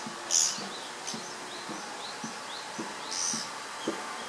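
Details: Japanese pygmy woodpecker, one of a pair repeatedly peering into a possible old nest and flying around it while calling, recorded 19 May 2013; two short, harsh, buzzy high bursts about three seconds apart, with faint thin chirps and soft low knocks between.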